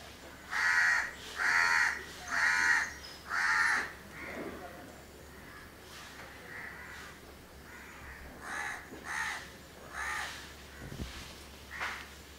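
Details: House crow couple grooming one another at Candolim, Goa, in December 2010: four loud, harsh caws in quick succession, then softer, scattered caws and rasping notes over a faint low hum.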